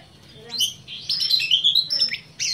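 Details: Kept black-breasted Oriental magpie-robin delivering a rapid run of sweet, rising and falling whistles that flow almost without break, over a soft low background hum.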